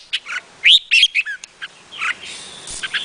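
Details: Vietnamese red-whiskered bulbul singing short liquid warbled phrases, bright upslurred whistles and chirps broken by brief pauses, with quieter chirping in the background.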